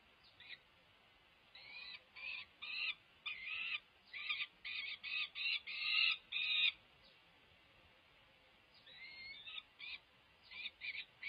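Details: Peregrine falcon chicks over five weeks old at a nest on a UC Berkeley building, May 2023, near fledging, as their mother feeds them. Harsh, grating calls come in short bursts of about half a second, closely repeated, with quiet gaps between.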